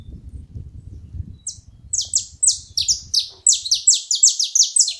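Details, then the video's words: Saffron finch making noise at a feeding spot, a rapid accelerating series of shrill, high chirps, each sliding down in pitch, following a stretch of low rumbling. "Canário da terra fazendo barulho na seva"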